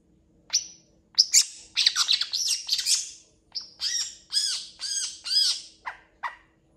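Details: Long-tailed shrike singing hard with a full varied song: a high whistle, a tumbling harsh chatter, then a steady series of ringing, arched notes about every half second, finishing with two sharp chips.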